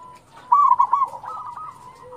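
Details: Local zebra dove song used as a lure to prompt other doves to sing: one loud burst of bubbly, rolling coos lasting about half a second, then softer cooing from other doves behind it.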